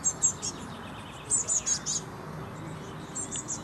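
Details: Blue tit fledgling sitting in bushes, waiting to be fed, camcorder recording: short groups of high, thin begging squeaks, separated by quiet gaps, over steady low background noise.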